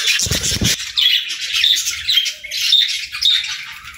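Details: Morning feeding time for budgerigars: a brief low thump opens, then scratchy chatter and short sharp chirps come in bursts from a small group of birds.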